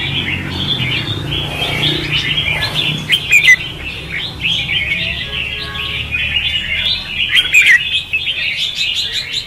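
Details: Red-whiskered bulbul fighting song, meant as a trapping lure and for training: steady chattering warble with a few clear whistled upslurs, over a faint low hum in the background.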